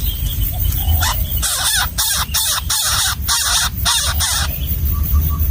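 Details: Wild baby bird begging as its parent feeds it a gecko in the nest, a run of harsh, raspy, noisy calls in the middle, faint softer notes before and after, low rumble throughout.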